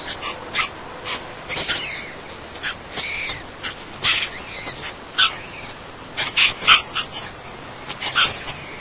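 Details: Three White stork chicks giving hoarse, wheezy, hissing bursts, some short and yelping, at irregular intervals of a second or two over a soft background hiss.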